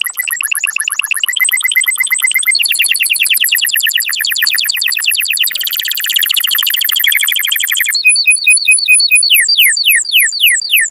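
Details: Canary song meant to stimulate males and females to mate, a continuous run of fast high trills shifting through several tour types, ending in clear downward-sweeping whistled notes repeated about twice a second.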